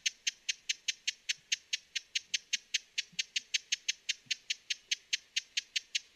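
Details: Broad-billed hummingbird producing a rapid, even chatter of short, dry tick notes, close to five per second, continuous from start to finish; quiet surroundings.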